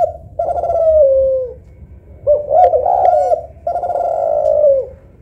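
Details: Cooing of a spotted dove, a local tekukur or a Kelantan derkuku, compared for softness and melody. Three drawn-out, low, smooth coos each slide gently downward at the end, with a brief warbling note between the first two.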